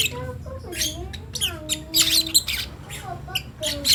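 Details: Lovebird nestling practising its voice, giving rough, raspy squawks in short bursts, mixed with smooth falling tonal sounds that may be human voices nearby.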